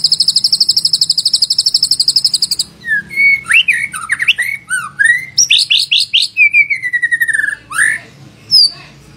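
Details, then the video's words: White-rumped shama lure song to coax other shamas into full song: a high rapid trill, then a varied run of whistles, slurs and sharp upward-flicked notes. "Pancingan Murai Batu Agar Bunyi Ngeplong"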